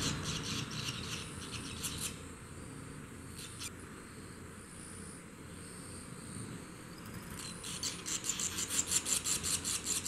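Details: Newly hatched barn swallow nestlings on the second day of observation: bursts of harsh, raspy, high chattering at the start, briefly mid-way, then a rapid pulsing series building toward the end, over a steady low background hum.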